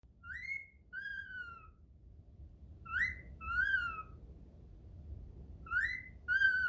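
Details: A cockatiel practising its whistles gives clear whistled notes that rise and then fall, in short pairs.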